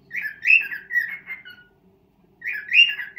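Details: Indoor pet cockatiel serenading a mate for the first time: bursts of chirpy, warbling whistles, a pause of about a second, then another bright chattering phrase.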